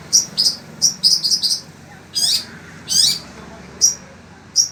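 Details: Kept in Indonesia and still singing through intense heat, a Long-tailed Shrike of the sembur type utters high clipped chattering notes in uneven clusters, with short pauses between them.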